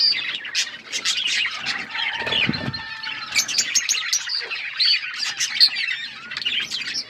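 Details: Budgies chirping while eating seeds: crisp high chirps and warbled chatter, a faint whistled note, and a brief low rustle of movement partway through.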